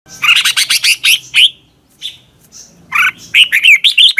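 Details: Red-whiskered bulbul singing a morning training song: loud bursts of rich whistled and warbled notes, rising and falling, a phrase of about seven quick notes, a short pause with softer notes, then another fast run.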